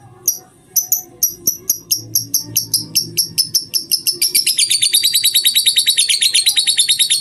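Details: Lovebird singing in the ngetik style, from a two-hour training recording: sharp high chirps repeated about twice a second, then speeding into a dense, rapid ticking trill that runs to the end, with a faint low hum underneath.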